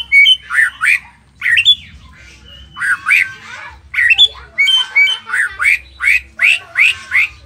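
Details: White-rumped shama of the Nias noktah type, singing steadily with a varied, filled-in song meant to provoke other shamas to answer. Rich whistled phrases with sharp rising-falling notes come in bursts, then a fast run of repeated slurred notes toward the end.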